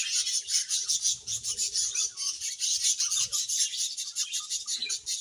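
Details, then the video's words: Colony of budgerigars sounding happy, producing busy high chatter: scratchy, rasping twitters layered into a steady shimmering hum of overlapping birds, pulsing rapidly. "Budgies Happy Colony Chirping Sounds"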